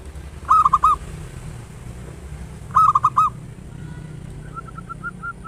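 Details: Local zebra dove with a big, active song, used as a lure to prompt singing. Two clear phrases of three or four quick, rolling coo notes about two seconds apart, then a faint run of higher coos.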